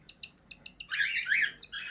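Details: A captive cockatiel pair being fed during morning breakfast gives a few short high chirps, then a harsh, raspy, rapidly pulsing chatter lasting about a second, while a man speaks softly and praises the bird.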